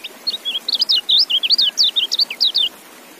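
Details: Caged white-eye, kept and fed apple, sings a fast chattering run of high, sharply up-and-down whistled notes, about a dozen crowded into under three seconds, clean and steady against a quiet background.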